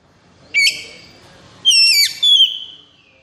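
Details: Captive white-rumped shama in high breeding condition, agitated and full of energy, sings two bursts of clear whistled notes, a high downslurred phrase then a rich warbled phrase ending in a long sliding whistle; quiet background.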